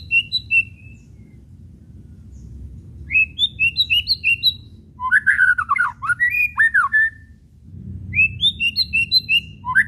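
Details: White-rumped shama whistles and chattering kretekan, played to provoke other shamas into singing: rapid repeated high whistled notes in bursts, then a loud burst of varied downward-sweeping whistles, followed by more quick rising notes.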